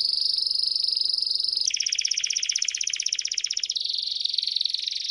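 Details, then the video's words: Timbrado canary song for tutoring young birds: a smooth, level rolled tone, then a pulsed trill, and finally another dense rolling tour, all high-pitched and continuous. "التغريد الأقوى للكناري لتعليم الفراخ THE BEST CANARY SINGING"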